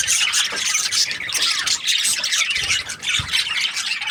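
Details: Chattering budgies, called happy, produce a busy mix of squeaks, buzzy warbles and short whistles, continuous with a low thump near the end.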